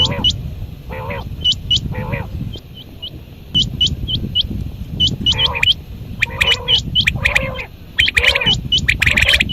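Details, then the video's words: Quails calling at dawn in a busy chorus: rapid high, thin whistled notes over lower nasal, buzzy calls repeated every second or so. "Quail sounds | batair ki awaz | quail call"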